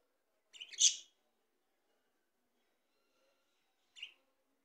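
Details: Talking Australian parrots: a loud rasping squawk with a stuttered start, then after a long pause a single shorter, higher scratchy note; otherwise quiet.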